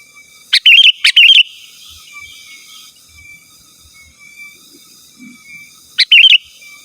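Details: Sooty-headed bulbul singing vigorously to call rivals, used for luring wild birds and training kept ones. Loud, rapid, bubbly warbled phrases come in two quick bursts, then another after a five-second lull.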